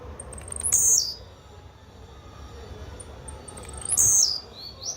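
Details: Blue-black grassquit repeats its short buzzy song twice, about three seconds apart. Each is a harsh, very high, downward-sliding burst preceded by soft ticking notes.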